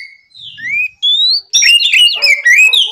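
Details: Oriental magpie-robin singing in the morning to stir rivals: a few clean rising whistles, then a fast, dense warble of tumbling high notes.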